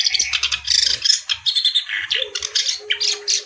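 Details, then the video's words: Lively reed warbler song with a good melodic style: fast, harsh, churring chatter in quick bursts, with short squeaky notes mixed in. A soft low rumble is heard near the start. "BURUNG KERAK BASI GACOR CENGKOK LAGUNYA OK"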